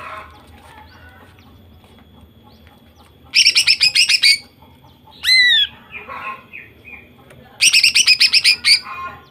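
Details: Female greater green leafbird in full song, used to stir males into singing: bursts of rapid harsh pulsed notes, a loud rising-falling whistled squeal, softer chattering between, then another rapid burst.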